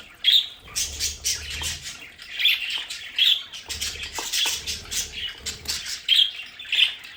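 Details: Pet budgerigars in their play area at home, giving harsh, buzzy squawks and chatter in short bursts about every second, with bright accented notes standing out, over faint low rumbling background noise.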